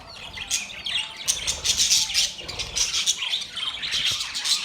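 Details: Budgerigars chirping and squawking together in mating sounds, high buzzy warbles rising in intensity after the first second and continuing steadily.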